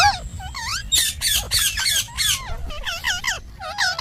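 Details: Pet parrot, possibly a ringneck, talking: a rapid run of squawky, speech-like syllables with bending, wavering tones, loud and uneven, packed into about four seconds with a few brief pauses.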